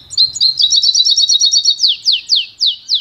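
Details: Pintagol, a goldfinch and canary hybrid, singing for song training: a fast run of bright twittering notes, then four loud sweeping downslurred whistles, each lasting about a quarter second, with faint low hum behind.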